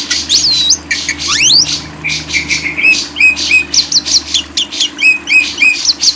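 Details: Lovebird singing in quick chattering notes, sharp upward-sweeping squeaks and a looping whistle early on, then evenly repeated chips pulsing about twice a second over a low steady hum.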